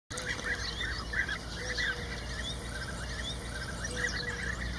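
Several European bee-eaters give rolling, liquid 'prruip' calls, overlapping in quick bursts, over a steady low rumble and a thin constant whine.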